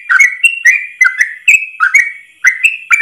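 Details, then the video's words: Yellow-vented bulbul singing a ropel-style song, long and unbroken as if in one breath, used as a tutor recording for other bulbuls: bright bubbly whistled notes sliding down and up, about two per second, with no background noise. "Masteran trucukan terbaik ropel 1 nafas panjang"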